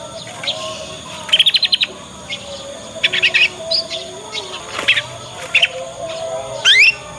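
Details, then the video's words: Juvenile Yorkshire canary practising its ngriwik song as a lure to coax other canaries into replying and copying. Rapid buzzy trills alternate with short chirps and a final sharp rising sweep, over faint background hum. "Kenari Manapun Pasti Nyaut dengan pancingan masteran kenari paud ini"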